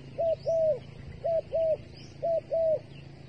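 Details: Three paired coos from a bait dove, each a clipped note followed by a longer, gently falling tone, repeated about once a second, faint high chirps from other birds in the distance.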